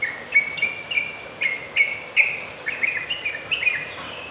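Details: Sooty-headed bulbul song used as a tutor recording to get other bulbuls singing: a run of bubbly, liquid whistled notes, short phrases repeated roughly every half second over a soft background hiss.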